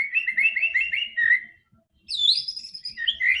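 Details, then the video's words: White-rumped shama song played to get a quiet bird to sing quickly: two bursts of rapid whistled and chattering notes, a slurred phrase falling away, a short pause, then higher sweeping whistles and trills. "PANCINGAN MURAI BATU GACOR‼️ANTI STRESS"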